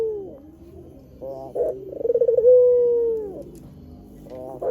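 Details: A white Barbary dove's lure coo, meant to pull in wild doves. Softer grumbling notes build into a pulsing roll that smooths into one long, clear, gently falling coo, then trails into a quieter rolling end.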